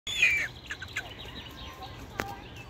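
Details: European honey buzzard in an aviary gives one short, high whistled note that slides downward. Fainter chirps follow, and a sharp knock sounds near the end.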